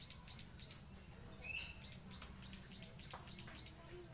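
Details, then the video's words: Fighting zitting cisticola, known as klik klik bird, giving a steady run of sharp, high, clicking notes about three per second, broken once by a brighter, louder chirp from another source, with low background hum. "burung klik klik gacor tarung"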